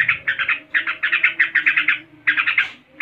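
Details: Yellow-vented bulbul (trucuk) in ngebren style: a dense, rattling run of sharp notes in quick beats, a short pause, then a fresh burst.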